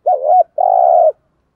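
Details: Spotted dove cooing in the morning, a call used to stir trained doves into cooing: two low hooting coos, the first wavering, the second long and steady, then silence.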